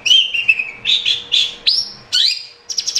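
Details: Long-tailed shrike song used to prompt a caged bird to sing: a loud run of harsh, buzzy chattering notes between mid and high pitch, then a rising whistled slur and sharp scratchy bursts, ending in quick repeated high chips.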